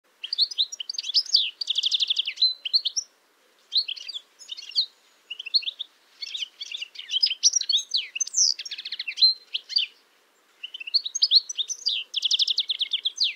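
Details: A male European goldfinch (Carduelis carduelis) sings in spring its typical twittering song: a bright, tinkling run of quick twitters and liquid trills in bursts.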